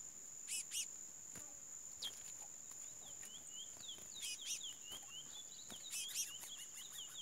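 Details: Chestnut-bellied seed finch song: a flowing series of short sweet whistles and downslurred notes gathering pace after a pause, with a constant shrill background tone and scattered clicks.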